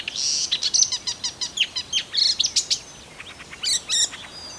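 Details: Russian marsh warbler song, loud and varied: a high whistled opening, then rapid sharp chips and buzzy trills, a brief pause, and a few final clipped phrases.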